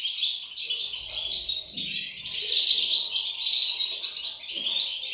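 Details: A nest of European goldfinch chicks chirping insistently, thin high notes crowding together into an unbroken, slightly buzzy chatter with a faint low thud near the middle.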